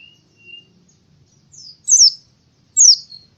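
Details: Oriental white-eye in the morning giving a few brief, very high, sharp descending chirps spaced roughly a second apart, with a faint thin whistle at the start and otherwise quiet surroundings.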